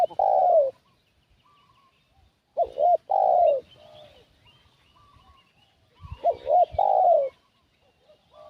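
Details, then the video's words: Decoy cooing of a spotted dove for luring wild doves: three spaced phrases of short paired coos ending in a longer falling note, separated by quiet gaps with faint twittering of other birds. "Suara Pikat Burung Tekukur"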